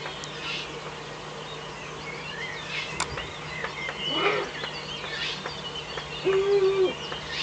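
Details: Eurasian eagle-owl at a nest in the Eifel, 17 May 2013 at 05:40 at dawn, with an adult visiting off camera; a single short, steady, low hoot-like tone late on, over a busy dawn chorus of small songbirds.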